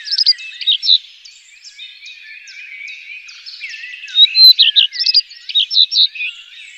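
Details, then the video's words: Common redstart singing, high clear notes run into rapid scratchy twitters and sharp chirps, the phrase swelling loudest in its second half, with faint background bird twitter throughout. "gekraagde roodstaart zang"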